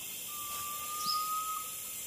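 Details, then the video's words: Garnet pitta in Sungai Relau National Park, Pahang, Malaysia, August–September 2022, giving one long, steady, pure whistle held for over a second, against a constant high-pitched insect drone and a brief upslurred bird note. "GARNET PITTA IN SUNGAI RELAU NATIONAL PARK"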